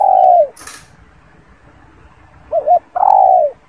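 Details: The tail of one spotted dove coo, then a brief rustle, then a fresh phrase of two quick soft notes and a long falling hoot, with a quiet background.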